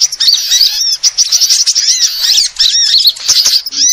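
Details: Several sunbirds chattering, recorded as a lure to draw birds in: shrill rapid chips and curved slurred whistles, tightly packed and continuous, broken by a couple of short gaps.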